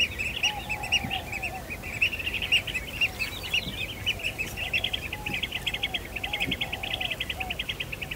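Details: Blue-tailed bee-eaters in Kinmen during the breeding season, with birds disturbing mating pairs. Dense, rapid trilled chirps from several birds overlap steadily, with a lower rolling call now and then.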